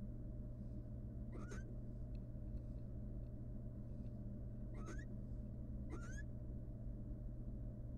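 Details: Nest-box recording of a wild female barn owl courting the male before going back to her eggs. Three short ascending twittered calls sound, the last two about a second apart, with a persistent low hum throughout.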